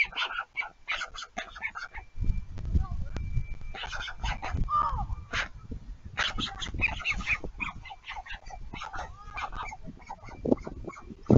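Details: Young storks at a nest at Leemansmolen, Vriezenveen, Netherlands, on 3 July 2022, fighting for food: dense, rasping, broadband bursts repeated in quick irregular runs, with thumping low rumble throughout.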